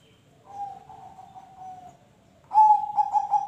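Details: Zebra dove cooing, meant to lure other birds into song: a soft, long, slightly falling coo is followed after a pause by a louder run of quick mellow throbbing notes.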